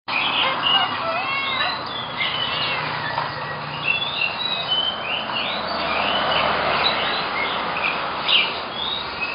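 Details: Blue-crowned hanging parrots in a pet shop give a steady chatter of thin, high chirps and squeaky notes, several birds calling over one another with a soft background hum.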